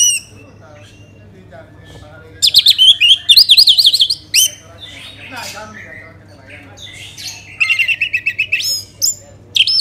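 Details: Lure song of an orange-headed thrush for stimulating other birds to sing: two loud bursts of rapid, high trilled and whistled notes separated by quieter scattered chirps, ending with a final short note.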